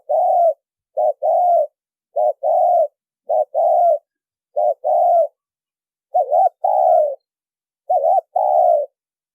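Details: Lure call of a spotted dove recorded without noise: loud low cooing phrases, each a short quavering note followed by a longer falling coo, repeated roughly every one and a half seconds.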